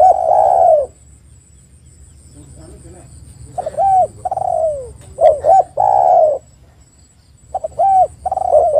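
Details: Spotted dove lure recording: one long coo, a pause with faint background sounds, then a quicker run of short and drawn-out coos, ending with two clipped notes and a long coo.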